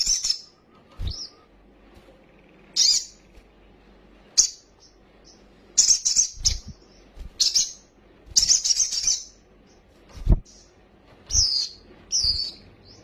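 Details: A sunbird gives a lure song meant to make other sunbirds quickly agitated and flutter their wings. Short bursts of high, rapid trills and chips repeat irregularly over thirteen seconds, mixed with low knocking thumps.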